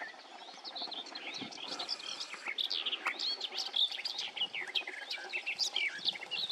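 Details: Garden warbler singing loudly in the morning by the water north of Tiengemeten at Het Vuile Gat, Netherlands: a fast, sustained warble of high, bubbling notes running without pause.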